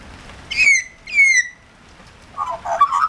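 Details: Australian magpie in the rain, one of a regularly visiting pair wanting food: two harsh calls, each sliding down into a whistle, then the start of a gurgling, warbled chortle.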